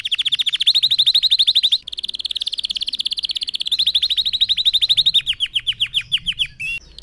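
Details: Red factor canary song played to train other canaries to sing: long rapid trills of repeated notes, briefly broken, then slower descending sweeps and a short closing note.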